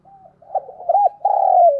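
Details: Decoy spotted dove cooing to lure wild doves quickly: a low, mellow coo sequence with two short rounded notes, then a longer sustained, slightly falling coo, in a quiet setting.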